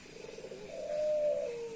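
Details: A short cooing phrase from a courting male Puter Pelung dove meeting a hen. A soft quick roll rises into a loud sustained note that eases slightly lower at the end.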